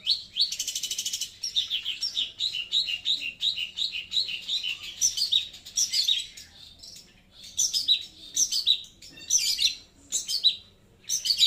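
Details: Loud, clear song of a long-tailed shrike. A dense opening burst of scratchy, high chattering breaks into irregular clusters of harsh twittering with short pauses between them.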